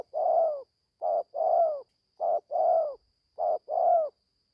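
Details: First forest training session for a young spotted dove just starting to call: steady run of low coos, short clipped note followed by a longer falling one, paired phrases repeating roughly every 1.2 seconds without other sounds.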